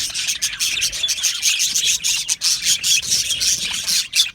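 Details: Aviary budgies, an Australian budgerigar colony: shrill, busy chirping and scratchy warbles from several birds at once, rising and falling in short waves.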